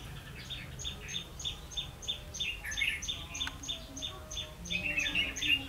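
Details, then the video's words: Red-whiskered bulbul decoy calling for wild bulbuls during trapping, 16 October 2016. Sparse warbled notes grow livelier near the end, set against a continuous fast ticking pulse high in pitch. "Bẫy chào mào mau mỏ"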